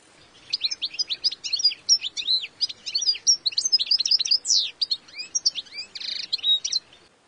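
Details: Long, lively twittering from a European goldfinch: quick high chirps strung together for about six seconds, broken by a sharp falling slur midway and a buzzy nasal note near the end, over faint background hiss.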